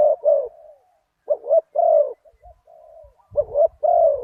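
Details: Spotted dove with a big one-kuk voice, heard while decoy luring after a target bird at spot 37: husky coos, one drawn-out note sliding down, then a soft trailing hum. Low rumbling handling noise is also heard.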